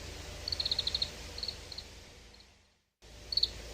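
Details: Oriental greenfinch calling in a reference library recording: a fast rattling series of about eight high chirps, then softer scattered notes fading out, a silent gap, and a final tight burst of three twittered notes.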